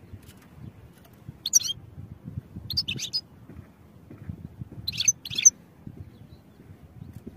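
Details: European goldfinch recorded for song training: short clusters of high twittering chirps arrive in three bursts separated by pauses, with faint low background hum.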